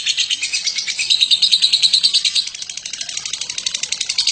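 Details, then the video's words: Lovebird Batman in long ngekek chatter, recorded as a master for other birds to learn from; fast, rasping high chirps strung together without pause, a bright whistled trill near the middle, softer toward the end. "Burung Lovebird BATMAN ngekek PANJANG cocok untuk MASTERAN"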